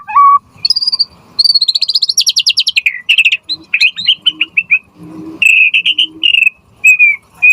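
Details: Lively white-rumped shama song from a lure recording for shamas: a rising whistle, a long fast trill of repeated high notes, then clear whistled phrases with pauses, some quiet lower chatter between.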